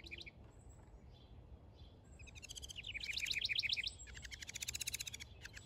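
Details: Male house wren building a nest in a backyard, singing a rapid bubbling song: soft high chirps build into a loud burst of quick repeated notes, then a fast rattling trill, with faint low rumble beneath.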